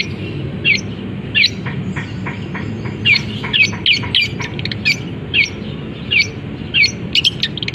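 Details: Long-tailed shrike in a cage, singing with canary, sparrow-fight and kapas tembak imitations after uncovering: repeated sharp downslurred squeaks mixed with quick clicking chirp bursts, fairly regular. Background low rumble.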